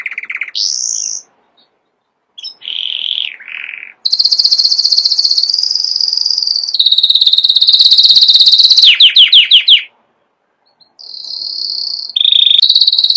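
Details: Canary sings varied tours: high whistled phrases, a lower warbled trill, a long loud rolling trill ending in rapid downslurred notes, then more high trilled phrases after a pause.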